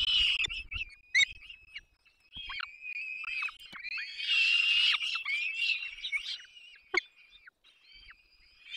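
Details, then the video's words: Feeding time at a peregrine falcon nest in Poland's Barycz Valley, 3 May 2024; chicks give harsh, high squeals in uneven bursts, with a few sharp clicks and quieter passages. "Zdenka i Borek karmią pisklaki 3 05 2024 sokoły wędrowne"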